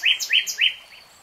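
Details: Common nightingale song: three loud, slurred, rising notes in quick succession, each about a quarter second apart, then a fainter fourth note fading out.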